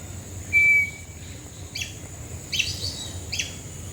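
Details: Western piping hornbill (Bycanistes fistulator) at Mandai Bird Paradise, Singapore, gives one clear, steady high whistle, then three short, harsh, buzzy notes spaced under a second apart, over a faint constant high hiss.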